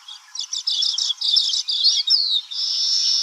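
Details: Baya weaver song in which rapid rattling, chattering notes run together, pass through a brief squeaky slur, and end in a sustained high wheezing buzz.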